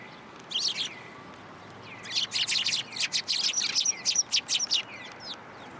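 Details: Several sparrows at a Tenmangu shrine on 7 January 2023, arriving at a post for food, make a few high chirps, then a rapid, uneven burst of many sharp tweets about three per second.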